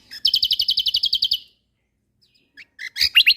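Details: Kecial kombok white-eye of Lombok in a training recording for cage songbirds: a rapid run of about fourteen high, evenly spaced ticking notes, a pause, then a cluster of sharp chirps and short twittered phrases.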